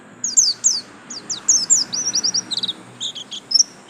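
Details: Buxtomi white-eye of the yellow-stripe type giving a rambling series of thin, high, slurred whistles and short chirps over a steady low background hiss.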